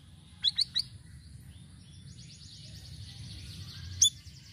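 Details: Sirisiri bird song in varied phrases, played to lure birds: three quick sharp chirps, then a long high buzzy rattling trill, ending with one loud bright note over a low hum.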